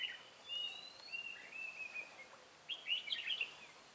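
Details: Red-whiskered bulbul singing during trapping on 18 March 2017, with a decoy used to attract wild birds. Clear liquid notes run into a chattering warbled burst near the end against a quiet background.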